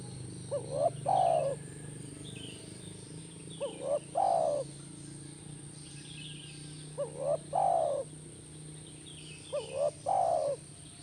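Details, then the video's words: Spotted dove cooing, used as playback to get a caged dove to answer: four low, mellow phrases, each a short rising coo then a longer slurred falling coo, repeated about every three seconds over a steady low hum. "Pasti Nyaut Burung Tekukur Anda Dengan Terapi SUARA BURUNG TEKUKUR INI"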